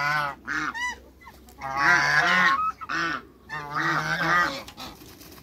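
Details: Two male and one female African geese in a backyard, calling after other waterbirds: loud harsh honks with rich harmonics, in bursts of about a second separated by short pauses, with a faint low steady hum throughout.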